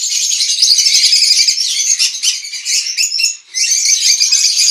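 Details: Several green-cheeked conures (Pyrrhura molinae) in an aviary in the morning give dense, harsh chattering and squeaky chirps, overlapping in a steady high-pitched stream with a brief pause near the end.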